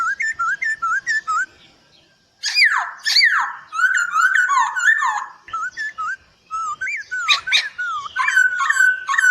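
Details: Poksay Hongkong (black-throated laughingthrush) in a gacor master recording for training birds. A run of short whistled notes, then loud, varied chattering and scratchy phrases, and a final series of looping whistles.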